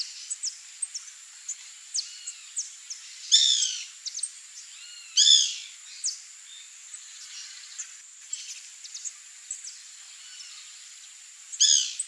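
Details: White woodpecker (Melanerpes candidus) in fruit trees in a yard, giving shrill, harsh, rattling bursts at irregular intervals, with scattered thin chirps and whistles from other birds.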